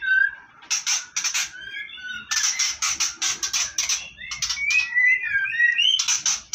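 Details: White-rumped shama chicks, three nestlings with one egg being taken from a breeding nest, give harsh, hissing begging rasps in quick bursts, with clear whistled notes and background music between them.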